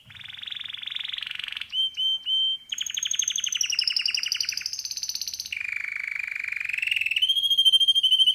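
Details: Pet male canary singing a varied song: rapid buzzy trills, three short clipped whistles, then a run of pulsed rolls changing pitch from high to low and back up.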